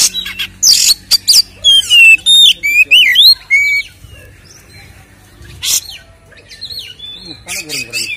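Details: Kacer (Oriental magpie-robin) giving 'ngeplong tarung' fighting-style song to stir up other kacer: harsh raspy bursts opening into a loud series of sweet sliding whistles, then scattered scratchy notes and chatter.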